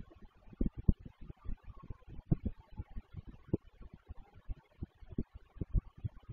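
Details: A man speaks steadily in a small room, with no animal calls audible.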